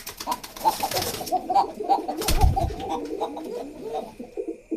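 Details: Several pigeons cooing in a pigeon house in a love context, deep burbling coos layered over each other, broken by brief bursts of rustling or flapping noise early on and midway.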